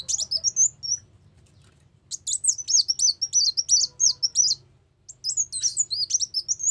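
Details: Brown-throated sunbird song, a trapping lure: quick bright chirps strung into sharp up-and-down twittering runs, a brief quiet gap, then another fast burst, over a soft low background hum.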